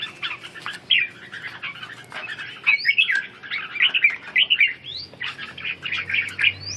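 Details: Red-whiskered bulbul in training to rebuild strength and drill its ché song, delivering near-continuous chattering warbles with occasional rising whistled upslurs, barely pausing across the whole stretch.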